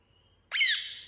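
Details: Pet Indian ringneck parakeet gives a single loud, harsh screech that starts abruptly, holds briefly with a grating, overtone-rich tone and fades out, after a quiet indoor hum.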